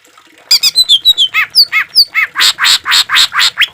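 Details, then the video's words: Green leafbird with harsh fill-in phrases, recorded for training and therapy of caged birds: thin whistled notes open the phrase, then loud rasping, buzzy squawks repeated rapidly. "Suara cucak ijo full isian suara kasar tembakan gemericik air buat masteran dan terapi"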